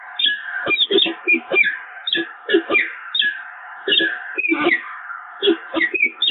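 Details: Nesting peregrine falcons at the Evoluon in early March 2022 during pair bonding: dense series of grating, downward-sweeping call notes with brief pauses, some notes drawn out into wailing tones, over a steady hum.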